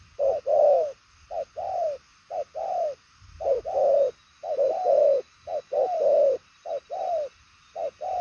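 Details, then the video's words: Purple-legged spotted dove giving a long series of hollow coos, short and long notes alternating rapidly with slightly uneven spacing, praised for speed and far-carrying delivery. "Đồng son chân tím gù quá tốt, nước xa tốc độ bài lối"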